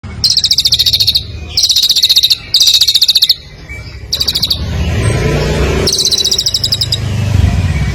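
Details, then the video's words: Competition songbird on a tutoring track, in full song: fast, high buzzy trills in bursts of about a second, separated by short gaps, over a low rumbling hum; a broader noisy stretch follows before another trill. "masteran burung lomba super gacor"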